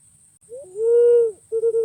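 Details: Pink-necked green pigeon, locally walik ungu, gives a short rising note that leads into a sustained hollow whistle, then a rapid burst of pulsed notes at the same pitch. A thin high-pitched hum is steady underneath.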